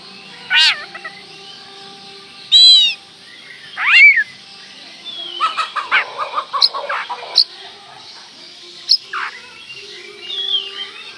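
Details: Oriental magpie-robin singing as a lure to provoke a rival: scattered loud harsh squawks and slurred notes, then a quick run of short chips and whistles with pauses between phrases.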